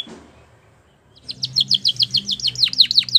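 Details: Canary song for teaching young canaries, starting after a second of quiet: a bright series of sharp, downslurred chirps repeated rapidly, growing louder toward the end. A low hum runs underneath.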